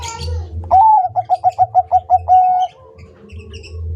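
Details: Bangkok-type zebra dove singing strongly, on a recording used to train caged doves into song: a rising whistled opening note, then eight quick rhythmic mellow coos, closing with a drawn-out level coo, with a low background hum.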